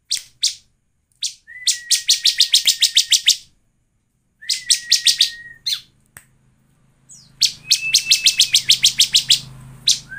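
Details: Bar-winged prinia lure song played to make other prinias sing: long, fast trills of a dozen or more buzzy high notes over a level whistle, separated by pauses, with a faint low hum later.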